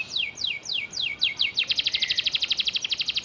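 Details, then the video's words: Canary song for training: several high downslurred whistles in a row, then switching to a fast, even trill of short repeated notes. "Kenari Isian Gereja- Bren Cigun-Flamboyan #(Master Vocal)"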